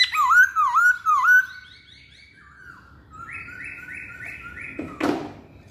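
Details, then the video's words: Masked laughingthrush song: three loud, rising, looping whistles in quick succession, then a run of softer nasal repeated notes and a short fading harsh burst near the end. "Kicauan Poksay Hongkong"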